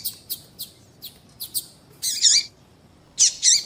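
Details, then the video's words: Calling female double-collared seedeater, meant to attract males. Evenly spaced soft high ticks lead into two pairs of loud, buzzy, downward-bending chirps. "fêmea de papa capim chamando"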